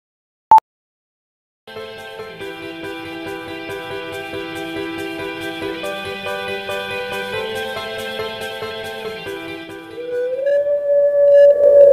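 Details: Only sustained, layered instrumental music with chords and a faint steady beat is heard after a brief click; there are no animal calls.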